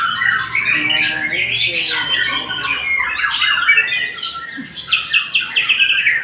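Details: Loud white-rumped shama song, close and continuous: rich, varied whistles, rapid chattering runs and squawky notes tumbling over one another with no pause, recorded in a small enclosed space.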